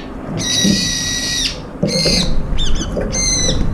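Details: A flock of brown-eared bulbuls squabbling over food; a loud, flat, shrill screech lasting about a second, then two shorter harsh screeches with quick downward flicks between them.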